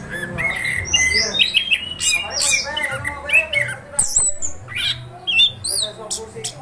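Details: Anis kembang, the orange-headed thrush, in nonstop 'ngeroll' song: harsh squawky bursts alternate with bright high chirps and short whistled slurs. A dense, jumbled sequence runs without pause, with a low background rumble.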